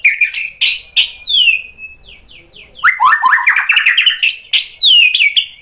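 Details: Sharp, varied White-rumped shama song meant as a lure to draw answering birds: bright slurred whistles, soft falling notes, then a fast rattling series of rising chips and a closing clear descending whistle.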